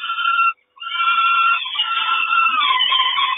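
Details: Peregrine falcon at a Kawęczyn nest, 3 June 2022, the mother bringing breakfast. A short harsh call, a brief pause, then a long continuous wail that turns rougher and wavering toward the end.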